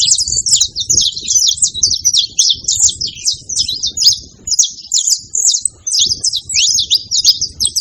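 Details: Several saffron finches gathered at a baited feeding spot, calling noisily: continuous busy flock chatter of sharp high chips and slurred notes, steady throughout, over a soft low background rumble.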